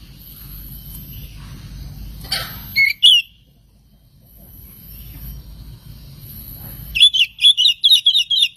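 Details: Oriental magpie-robin song used as a lure to provoke other magpie-robins into singing: two short high whistled notes, a quiet pause, then a fast run of sharp, repeated chirping notes with a low background rumble.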